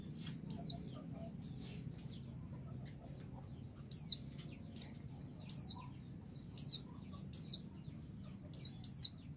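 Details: Female white-eye calling to the male to provoke him into answering: six bursts of sharp, very high, quickly falling chirps, with softer thin twittering between them, over a steady low hum.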